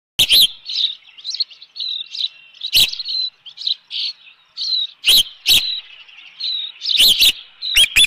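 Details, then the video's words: Osprey at its nest at Dunrovin Ranch on 25 May 2018, calling in alarm at an intruder: series of short, high whistled chirps, some slurred, with several sharp loud knocks breaking through. "Osprey Nest Video_2018-05-25_114923-intruder"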